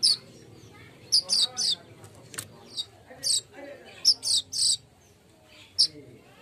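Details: Golden-headed weaver lure sound for prompting birds to sing: bright, piercing high chirps, some doubled or tripled in rapid succession, separated by short pauses. A faint low hum sits in the background.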